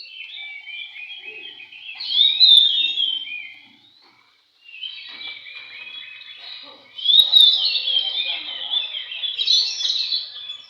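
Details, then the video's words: Oriental magpie-robin at a bird singing contest, giving loud, varied, rapid warbling and whistled phrases in dense bursts, strongest at about two to three seconds and seven to ten seconds, with a brief silent gap near four seconds. "kontes burung Kacer ci kaso alur"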